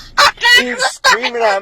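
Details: Blue-and-gold macaw answering a person with loud raspy speech-like squawks, two strident harmonic bursts with a long drawn tone under each, as a woman asks whether it is screaming at her.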